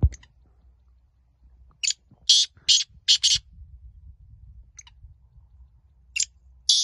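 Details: Black francolin (kala teetar) in a teetar calling contest, giving short harsh buzzy broadband notes in a quick burst of about five, then two more after a pause, with faint background hum.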